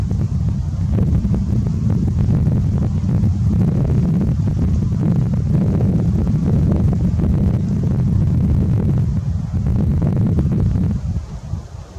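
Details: Only steady low wind rumble buffeting the microphone is heard, with no animal calls.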